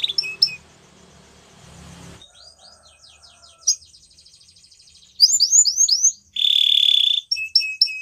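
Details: Spanish Timbrado canary with scattered soft notes over faint low background noise, then a loud burst of falling slurs, a steady buzzy trill and a few crisp closing notes.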